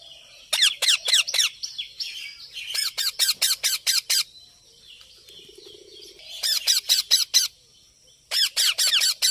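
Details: Young parrot squawking in runs of rough, grating notes, several loud bursts separated by quieter gaps, with a brief low buzzing hum partway through.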